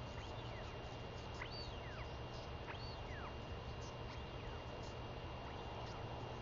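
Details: Royal albatross chick, female, begging loudly for food from her newly returned mother on 23 May 2021; a few clear arching whistled notes, each rising then dropping, spaced about a second apart, with wind noise throughout.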